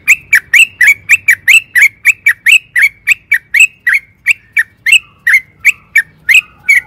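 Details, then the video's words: Sooty-headed bulbul (trucukan) in full, lively song, used as a lure to make other bulbuls answer: a steady string of short, sharp chirping notes about one per third of a second, some notes sliding lower toward the end. "pancingan trucukan gacor AMPUH BIKIN BURUNG TRUCUKAN GACOR NYAUT EMOSI"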